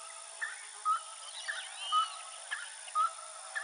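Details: Roadside hawk calling insistently: short clipped notes repeated about once a second at an even pace, with a faint higher chirping of other birds in the background.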